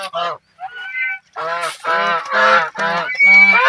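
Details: Geese splashing and playing in water call with harsh, nasal honks, one after another, some drawn out and rising toward the end.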